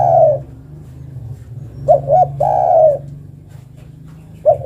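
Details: Spotted dove hen calling for a male: a long coo, a pause, then two quick short coos and another long drawn-out note, with the next phrase beginning at the end. A low background hum runs throughout.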